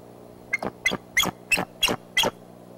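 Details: A bald eagle at Decorah, 28 February 2015, afternoon, gives six high, thin chirping notes, evenly spaced about three per second and rising slightly in pitch, over a low steady hum.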